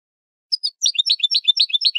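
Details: Goldfinch song from a Spanish training recording for cage birds: after a brief pause, a quick run of bright, high chirped notes repeated about eight times a second, twittering and metallic.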